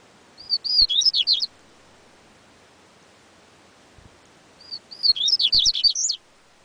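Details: Yellow-bellied seedeater, known as coleiro baiano, singing two short bursts of high whistled and slurred notes, each starting with a clear whistle and then rapid warbled phrases, separated by about three seconds of quiet.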